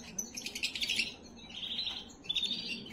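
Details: Canary song meant to stimulate and prepare females: short bursts of high chirps and a brief sustained whistled note, fairly quiet against a faint low room murmur.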